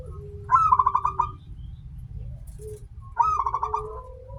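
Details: Local zebra dove song played as a lure to get doves singing: two phrases about three seconds apart, each a sharp high opening note followed by a quick run of bubbling pulsed coos, over a low humming background.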